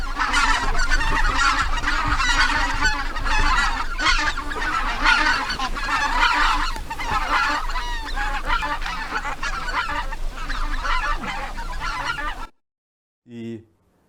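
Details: In winter, a flock of Taiga Bean Geese flies overhead in formation above the frozen Imjin River bank, Korea, communicating in flight. Rapid, overlapping nasal honks and cackles come from many birds at once before the sound cuts off.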